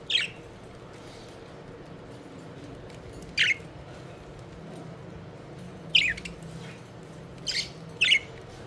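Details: Playful pet budgies flying around; sparse brief sharp chirps spaced a few seconds apart, five in all, against a faint continuous background hum.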